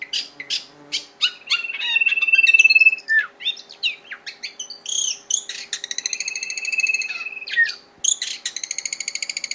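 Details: Long-tailed shrike singing actively: a fast, varied run of sharp chirps, buzzy notes and squawks, with a steady high whistled tone held near the middle and rich harmonic phrases toward the end, over a faint constant hum.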